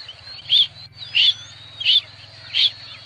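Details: Rain quail song: four loud, high, chirping double notes spaced evenly about every 0.65 seconds, over a steady low hum and faint rising whistles from another bird.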